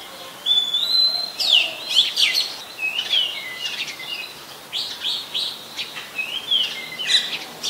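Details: Oriental magpie-robin, a very common resident, singing in Ubon Ratchathani, Thailand, on 24 December 2020, recorded with a Nikon P1000: long clear whistled notes, some rising and some level, broken by short sharp chirps and quick downslurred phrases.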